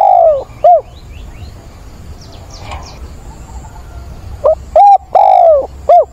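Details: Decoy spotted dove on 17/9, cooing to find a partner in a mature 'bổi' voice; loud falling coo notes open, a quiet gap with faint chirps follows, then a full phrase of short coos around one long, downward-bending coo.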